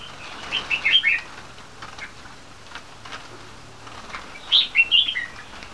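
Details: Young crossbreed bulbuls, three months old, red-whiskered × yellow-vented of champion bloodline, on a farm, give two brief bursts of lively chirped, warbling notes separated by a pause of about three seconds.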